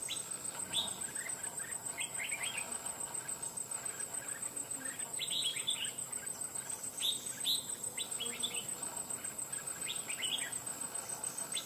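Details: Red-whiskered bulbul trapped from the wild and now kept in a cage, described as quick to sing in a loud ringing voice, gives clusters of quick chirpy whistled notes in bursts every second or two against a constant high-pitched buzz.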